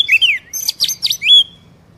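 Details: Oriental magpie-robin song used to trigger a caged bird to sing: a short rising whistle, harsh buzzy downswept notes, then a clear sustained high whistle.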